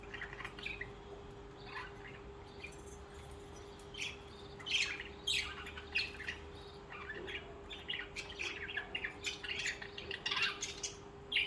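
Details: Several budgerigars, social pet birds, chattering together: dense, overlapping scratchy chirps, squawks and warbled notes running throughout, with a constant low hum in the background.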